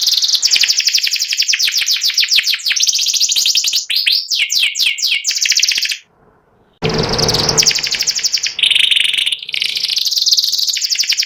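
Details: A caged white panda canary, a symmetrically patterned bird said to sing one line and able to copy other birds, sings long, loud, high rolling trills and rapid sweeping notes, broken by a brief silence and a burst of noise.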